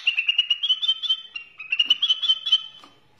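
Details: White-rumped shama from Borneo giving two quick bursts of rapid, high, bright chattering notes strung into short rattling runs, separated by a brief pause.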